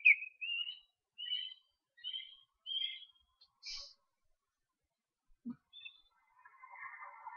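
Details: Young ospreys being fed at an Estonian nest on 13 July give a series of short, high, slightly rising whistles, followed by a brief low thump and a rustling hiss.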